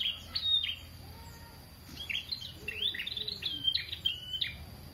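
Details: Lively prenjak song used for training other birds: rapid high slurred chirps and short whistles in tight bursts, with a few softer lower whistled notes in the gaps and faint background hum.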